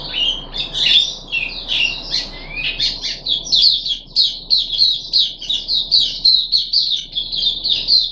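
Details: A caged puff-backed bulbul, third day after deworming, 14 July 2021, opens with a few rising whistled slurs, then settles into fast, evenly spaced chips repeated several times a second; faint hum behind.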